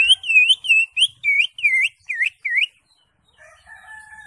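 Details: Greater green leafbird, crest raised, singing a lively song full of varied fillers, used as a master recording for training songbirds: a fast run of loud, swooping U-shaped whistles about three per second, ending in faint steady drawn-out tones.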